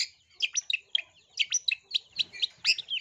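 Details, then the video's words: Long-tailed shrike singing to prompt other shrikes into song, giving quick sharp chirps and short harsh notes at an uneven pace of about one per second. "TERAPI AMPUH CENDET BAHAN JADI RAJIN BUNYI, PANCINGAN CENDET GACOR FULL ISIAN TEMBAKAN GEREJA"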